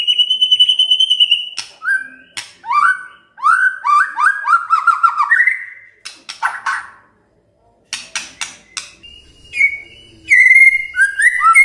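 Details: Shama song intended to provoke silent white-rumped shamas into singing: a held whistle, sharp clicks, then cascades of quick descending whistled notes and later sweeter rising-falling phrases, with gaps between.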